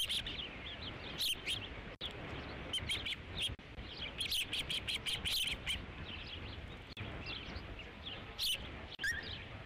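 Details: Osprey at the Dunrovin Ranch nest on 3 July 2016, calling around the fifth fish delivery; rapid high, sharp chirps in bursts that rise and fall, with brief clicks and steady background hiss.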